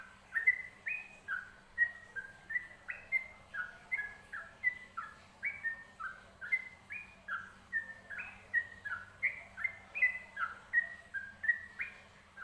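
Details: Long steady stretch of yellow-vented bulbul song for bird training: rapid chattering whistles swinging between two pitch levels, note after note in an unbroken rhythm, with a soft electrical hum underneath.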